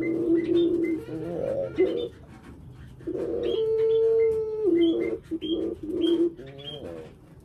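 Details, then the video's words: Kept collared dove giving short repeated coos, then one long level coo of about a second, amid frequent high chirping from other caged birds. "burung puter"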